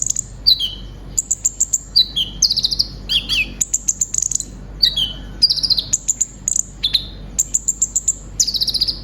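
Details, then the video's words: Long sunbird song from a kept brown-throated sunbird, offered as therapy material for other birds: repeated falling two-part whistles, high trills and buzzy rattles in steady rhythmic phrases. "Terapi suara burung konin gacor full isian materi nembak panjang"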